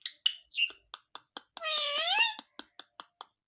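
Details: Pet talking rose-ringed (ringneck) parakeet gives harsh, high squawks and sharp clicks about every quarter second, broken by one drawn-out, nasal, wavering word-like sound.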